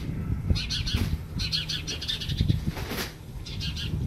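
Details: A house sparrow chick, found beside a house and being reunited with its mother, gives short, bright chirps in quick bursts about twice a second, over low rumbling handling noise and some wing flutters.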